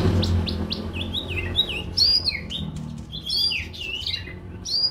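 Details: Konin, the brown-throated sunbird, in a recording for coaxing newly bought caged birds to sing: a lively run of high twittering chirps and slurred whistles, steady faint hum underneath.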